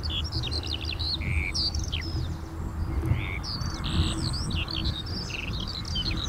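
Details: Skylark song with bold rising and falling whistles, buzzy notes and quick chirps, set against a strong low roar of passing traffic.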